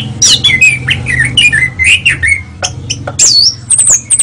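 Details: National champion kacer, or Oriental magpie-robin, in a dense, varied song of fast whistled slurs and chattering notes, followed by rasping phrases and high thin whistles near the end, with faint low room hum behind.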